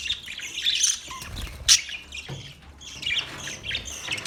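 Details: Budgerigars in a colony warble and chirp, with one loud harsh squawk near the middle before the scratchy chattering resumes.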